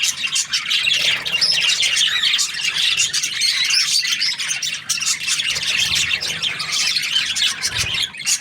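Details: Cheerful budgie sounds, many high twittering notes and short squawks blending into a busy, constant warble.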